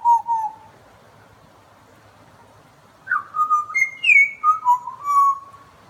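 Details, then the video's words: Butcherbird song with rich, flute-like whistles: two low notes, a long pause, then a rising and falling phrase of pure tones with a high ringing note and trailing lower whistles. "Butcherbird love song"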